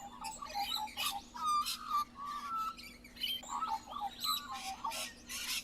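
Australian magpie in rambling song, a fast jumble of fluting whistles, gurgles and harsh chattering notes, over a steady low electrical hum.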